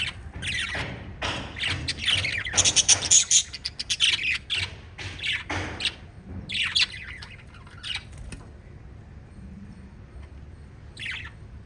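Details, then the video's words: Chirping from a group of five pet lovebirds. Harsh, high squeaky notes come in irregular bunches that peak in a dense cluster midway, then thin to a few isolated calls over faint low hum. "Five Little Lovebirds Chirping Sounds"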